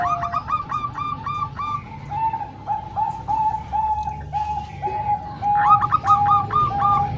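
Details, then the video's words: Zebra dove song mix of three Bangkok-type birds and one local bird, used to train young birds: bursts of rapid higher coos alternating with steadier, lower repeated cooing notes from several birds at once. "Kombinasi 3 Suara Perkutut Bangkok Dan 1 Lokal|Untuk Melatih Perkutut Bahan"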